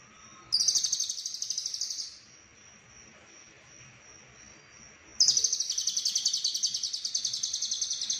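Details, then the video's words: Lovebird singing in the konslet style with full isian, from Cililin: two long, dense, buzzy, rapidly pulsed high trills, one short and one continuing past three seconds, separated by a quiet pause with a faint steady high tone. "Lovebird Konslet Full Isian"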